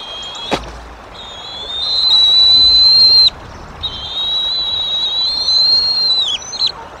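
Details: Female bald eagle at the Decorah nest, April 2023, with a chick present in cold weather, gives long thin high whistles, each held steady for about two seconds with a slight wavering, separated by a short gap; a sharp click near the start.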